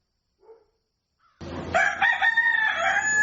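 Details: Rooster crowing at dawn: after two faint short sounds, a loud drawn-out crow begins and holds steady for nearly two seconds, rich and harmonic.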